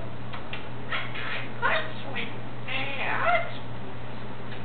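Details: Pet African grey parrot singing Happy Birthday to himself: a few drawn-out, voice-like sung syllables with bending pitch, spaced about a second apart, over a constant low electrical hum.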